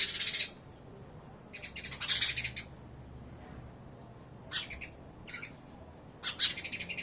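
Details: House sparrows chirping, described as happy sounds: bright chirps in short clustered bursts near the start, around two seconds, and between four and seven seconds, with quiet pauses over faint background hiss.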